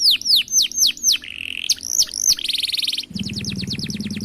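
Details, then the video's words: Canary singing a varied phrase: loud falling whistles, a short buzzy trill, a fast rattling roll, then rapid repeated downslurred notes over a low background hum. "Suara Jernih Burung Kenari gacor dor roll panjang"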